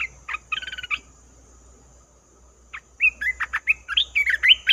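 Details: Red-whiskered bulbul call played as a trapping lure: a burst of rapid trilled chirps, a pause, then a lively string of slurred, bubbling whistled notes of varied pitch.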